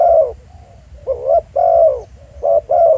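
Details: Spotted dove at Pha Sing, Thailand, recorded on site, uttering soft hollow coos: a long falling note, then a rising-falling coo, then a short note and a longer slurred coo, over light low-pitched background noise.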